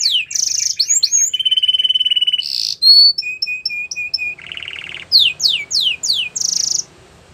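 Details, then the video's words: Canary training song with rapid chattering rolls, a long even trill, a bright buzz, spaced whistled notes, a low buzzy rattle, then sweeping downward notes and a closing high buzz. "Your Canary Will Not Stop Singing With This Training Song"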